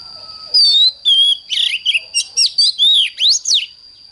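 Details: Oriental magpie-robin singing in the morning in the intense 'căng lửa' style: loud whistled notes that slide down, then a rapid run of varied buzzy, warbled phrases, over a steady high thin whine.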